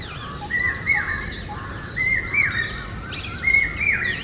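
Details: Common hawk-cuckoo, the brain fever bird of India, calling in forest: loud, shrill rising notes repeated in phrases about every one and a half seconds, climbing in pitch, with faint other bird chirps behind.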